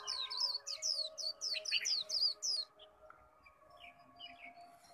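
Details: Caged Japanese white-eye singing in a bird contest setting: rapid high twittering phrases of quick sweeping notes, then a quieter stretch of scattered chirps, over a steady low electronic hum.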